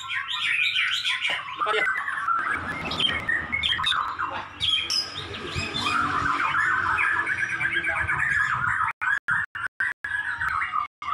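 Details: White-rumped shama tutor song from the Indonesian songbird-keeping hobby: a dense, unbroken stream of rapid chirps, trills and squeaky notes. It runs without pause for about nine seconds, then breaks into short clipped bursts near the end.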